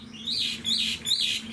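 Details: Caged Chinese hwamei, a large-bodied bird kept for its fine voice, singing three clear whistled phrases that swoop up and then down, each about half a second long, with a low steady hum behind.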